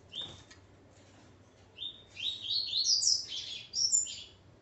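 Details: Male double-collared seedeater with his female: one short buzzy note, a pause, then a bright run of fast rising slurred chirps ending in a high twittering flourish.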